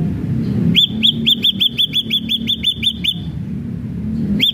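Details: Ashy drongo singing persistently: a fast run of about thirteen short, arched whistled notes, evenly spaced, then a pause and one more note, over low rumbling background noise.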